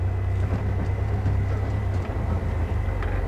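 A low, steady vehicle engine rumble with no animal calls.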